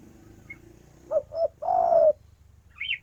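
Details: Spotted dove female calling the male with two short coos and one long smooth coo over a steady low hum, with a brief chirp from another bird at the end.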